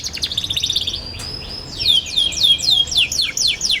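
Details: Young canary chattering in a lively twittering song, used as a lure for young canaries learning to sing: a fast buzzy trill of repeated high notes, a brief steady whistle, then a run of descending swept chirps.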